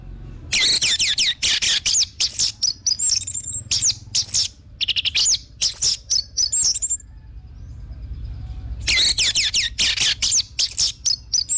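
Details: Orange-headed thrush song used as a lure to stir other birds into singing: rapid, varied bursts of high whistled and slurred notes, loud and dense, with a pause of about two seconds before another fast burst.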